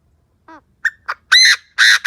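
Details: Chinese francolin used as a decoy, calling to draw in wild birds: a short rising note, two sharp clipped notes, then two long, loud, rasping, harmonic blasts in quick succession, ending abruptly.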